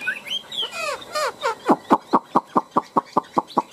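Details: Chinese hwamei in a cage, one of two birds tamed over three years, giving fighting song. A few rising and falling whistles open into a loud run of about a dozen harsh, evenly spaced notes, roughly five per second.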